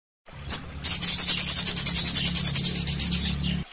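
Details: Sogon master recording for training birds: a sharp opening note, then a long fast series of high, bright chirping trills repeated steadily for about three seconds, with a low background hum.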